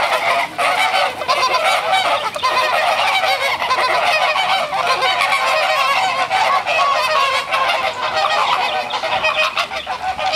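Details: Flamingos in Brownsville, Texas, in spring as the birds move into breeding season, escalating their calls, gathering, flapping wings and running as a group. A dense, continuous chorus of many overlapping nasal, goose-like honks with no pauses.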